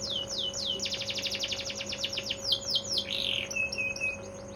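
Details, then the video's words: Bottle-green AF canary singing before any sunning: a quick series of downward-slurred whistles speeding into an even trill, then a harsh buzzy burst and thin high notes, over a constant low hum. "Af ijo botol durasi 45 detik blm kena jemur"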